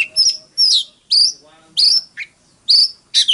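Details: Oriental magpie-robin singing its fighting song: loud bright whistled notes, some steady and some falling, given in separate bursts about half a second apart, with a faint low rumble beneath.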